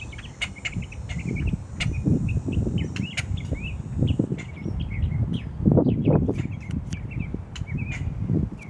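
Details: A boat-tailed grackle calling from a tree on October 10 gives a steady run of short, sharp chips and clicks, several per second, over a heavy low rumble of wind or distant traffic.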